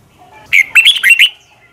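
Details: Red-whiskered bulbul, morning training song: a single brief phrase of four or five clear, looping whistled notes, sung forcefully, with quiet on either side.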